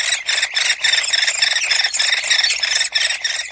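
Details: A Hairy Woodpecker chick in its nest cavity deep in a dying tree begs its parents for food with a nonstop, harsh, buzzy squealing, high-pitched, in rapid pulses of about three or four a second.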